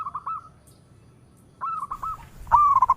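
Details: Local zebra dove (perkutut lokal) calling in all directions: two short, soft phrases of bouncing coos with a silent gap between them, then a louder run of rolling notes at the end.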